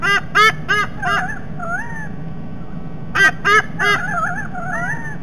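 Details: White-bellied sea eagles at the nest, Sydney Olympic Park, Australia, close to Parramatta River, 16 December 2021, with the male back home. Loud goose-like honks come in two quick bursts of about four, each trailing into wavering nasal notes, over a low background hum.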